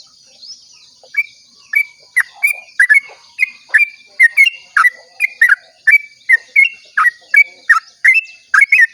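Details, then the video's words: Long dawn song of a sooty-headed bulbul, meant to coax other bulbuls into song: after a soft opening whistle, a steady stream of crisp, liquid whistled notes builds up, about two a second, with a faint high hiss throughout. "pancingan trucuk ropel panjang cengkok termerdu saat subuh"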